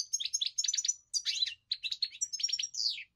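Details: European goldfinch song: quick bright twitters and trills in tight phrases, closing with a drawn, descending slurred note; faint low hum in the background.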